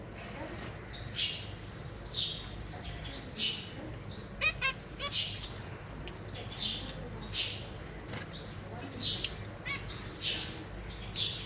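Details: Zebra finch family in a cage, parents feeding three new born babies and three juveniles; nasal, buzzy chirps repeat roughly every two seconds, uneven in timing, over low room noise.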